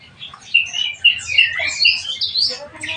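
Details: Black-winged myna (jalak kebo) being kept and cared for, giving a series of harsh, squawky calls with whistled notes, loud bursts about every half second, over a low background hum.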